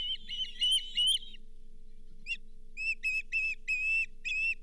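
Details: Osprey calling at the Charlo nest on 31 July 2023 as the fifth fish of the day, a lake whitefish, arrives. Loud whistled chirps, a brief silence, then a run of clipped, repeated peeps over a faint constant hum.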